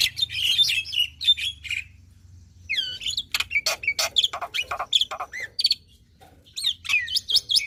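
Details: Singing black-winged myna in a lively, prolific style meant to coax other mynas into song: bursts of sharp chirps, squawks and rising whistles, broken by brief pauses, over a faint low hum.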